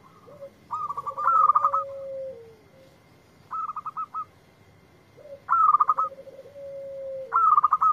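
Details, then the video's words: Zebra dove, local type, singing in answer to a lure recording: four bursts of quick stuttered cooing notes, some over a low gliding tone, spaced roughly two seconds apart. "Perkutut Lokal Gacor yang ND4blek langsung nyaut"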